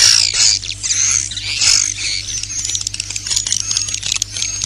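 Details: Roosting lure sound for swiftlets, an internal 'inap plus' recording. Loud, harsh, high twittering bursts come in waves, mixed with fine clicks and thin high whistles, over a steady low hum.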